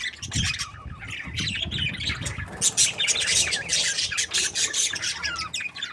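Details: Happy budgerigars give rapid, scratchy high chirps and squawks in quick irregular bursts, almost without pause, over a faint low hum.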